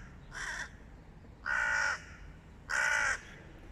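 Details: A hooded crow, one of a group facing off with a stray cat, gives three harsh, rasping caws about a second apart, the last two longer and louder, over a low background hiss.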